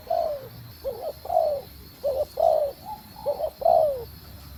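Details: Calling female spotted dove urging a male on. Clear, fairly loud, low coos come in quick succession. A short rising note is followed by a longer downslurred coo, about four phrases in under five seconds.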